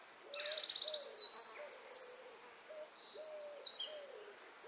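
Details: Eurasian wren (jenny wren) singing in a garden where it nests next to a house; the song opens with a fast high rattle, then shrill notes and rippling trills, over soft low whistled notes from another bird.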